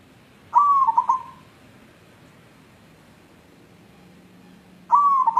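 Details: Wild local white zebra dove calling in search of a mate: two soft, purring phrases about four seconds apart, each a smooth note breaking into quick rippling trills, against quiet background.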